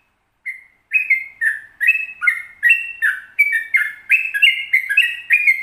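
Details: Sooty-headed bulbul with a long rolling song, used to coax other bulbuls into singing morning, noon and night: bubbly whistled notes near the mid-high range, repeated almost three times a second in a steady chattering run, clean background.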